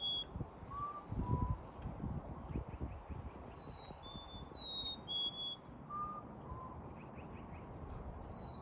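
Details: Black-capped chickadee in a NW Calgary, Alberta backyard at 6 pm on February 28, 2021, giving high two-note whistles, higher then slightly lower, amid low traffic rumble and vehicle noise, with faint lower paired whistles also heard.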